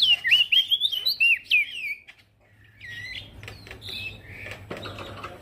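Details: Male prinia singing actively, recorded as a training song for other cage birds: a rapid run of slurred, wavering high whistles for two seconds, then quieter scattered whistled notes over a low steady hum.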